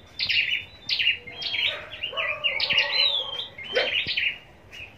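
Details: Scarlet-backed flowerpecker raised for contest singing in Long Thành, southern Vietnam, gives a fast series of sharp, high, descending chirps and twitters in clustered bursts, with a few lower notes mixed in.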